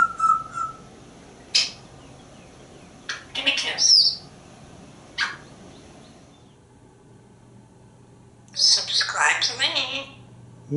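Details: A pet African grey parrot on the porch mixes whistles, clicks and chattering bursts with its owner's praise and requests for a kiss. Brief loud calls come in clusters, with a longer run of rapid squeaky chatter near the end.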